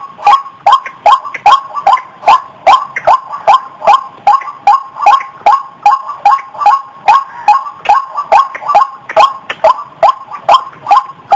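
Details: White-breasted waterhen call used as a lure for birds hiding in bushes: a long, steady run of coarse, nasal notes with sharp onsets, about two and a half per second, the beat slightly uneven in places.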